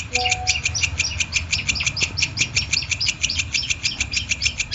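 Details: Steady, rapid series of sharp, high notes from a long-tailed shrike used as training song for lively singing, each note evenly spaced, with a faint low hum.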